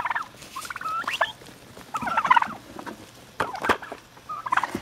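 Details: A gang of wild turkeys, fed by the recordist since they were young (now a second generation), gives rattling gobbling bursts and clucks in irregular clusters about every second at feeding time, with scuffling and clatter between calls.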